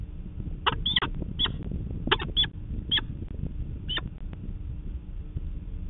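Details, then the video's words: Peregrine falcon chick at a Manchester, New Hampshire nest, calling for its morning feed from the parents in June 2019: short, sharp, high chipping squeals in irregular bursts over low rumbling background noise. "Peregrine Falcon - Good morning Mom, Dad, it's time to give me breakfast!"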